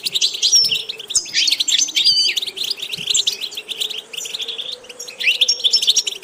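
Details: European goldfinch singing a bright, fast tumble of twittering and tinkling notes, with a few nasal buzzes and short pure whistles, under a low droning background hum.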